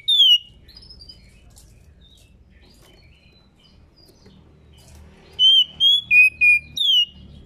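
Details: Captive female white-rumped shama in breeding condition, calling to stir males into song. A brief whistled note opens the recording, then after a long quiet gap comes a quick run of five pure whistles, level first, then lower, ending with a falling slur.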